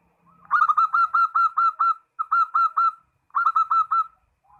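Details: Zebra dove (perkutut) calling a rival: three clear runs of sharp, ringing coos, eight, then four, then four notes, each evenly spaced and slightly upslurred.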